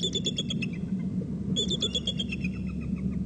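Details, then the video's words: Three eagles calling, a rapid chittering series of high, sharp notes in two bursts, each quickly repeated and tapering, over a low steady rumble. "calls 3 eagles"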